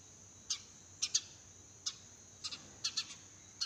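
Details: Garden sparrows at dawn give scattered, crisp high chirps, single or in quick doublets, separated by short pauses, with a thin steady high-pitched drone running underneath.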